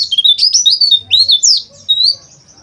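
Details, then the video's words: An Oriental white-eye sings a fast run of high, slurred whistles and chattering notes, some rising sharply, on a recording meant to train caged birds to sing harshly and open their beaks. "TERAPI PLECI AGAR NGERIWIK KASAR DAN BUKA PARUH"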